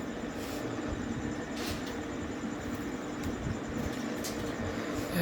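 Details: A steady vehicle rumble fills the whole stretch, with low engine drone and faint clatter and no animal voices heard.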